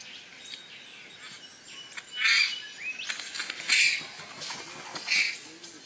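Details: Satin bowerbird in courtship, making three loud, rasping buzzy bursts about one and a half seconds apart, with softer scratchy notes between them.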